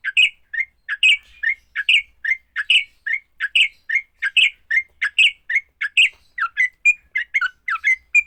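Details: Sooty-headed bulbul fighting song meant to trigger song in other bulbuls: evenly spaced groups of two or three chirpy, slurred notes, the pace quickening into shorter notes near the end.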